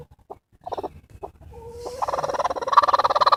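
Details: Broody bantam x bearded silkie hen guarding her eggs and warning a person away: a few low clucks, then a rising run of harsh, rapid, pulsing growls, several per second, growing louder toward the end.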